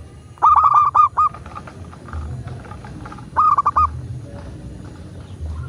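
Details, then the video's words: Local zebra dove recording used to prompt doves to sing and respond: two phrases of rapid, stuttering coos, about six notes and then five notes, roughly three seconds apart, with soft rustling noise between them. "Perkutut lokal gacor pancingan agar burung perkutut cepat GACOR dan BUNYI"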